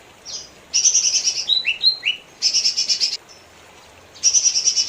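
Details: Lesser green leafbird singing: rapid buzzy, rattling high-pitched trills in bursts of about a second, separated by short downslurred whistles and brief pauses, with a faint low hum beneath.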